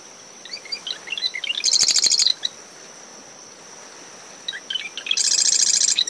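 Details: Marsh wren singing early morning from dune shrubs around a nest near the shoreline, after tropical depression Claudette: scratchy ticks into a fast buzzy high rattle, twice, over brisk wind, waves and a cricket's steady thin whine.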